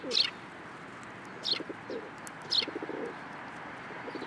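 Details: Sparrows taking food from a hand at a Tenmangu shrine on 13 April 2023; three spaced, loud high chirps and a faint fourth, over soft low pigeon cooing.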